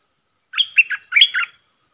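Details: Decoy red-whiskered bulbul calling to attract a territorial wild bird, giving one rich phrase of about six quick, liquid, slurred whistles in two groups, clear against a quiet background.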